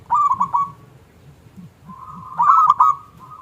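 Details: Zebra dove of local stock, a lure to provoke doves into song; a brief rolling coo phrase, a long soft hum and a second rippling burst, with low background noise.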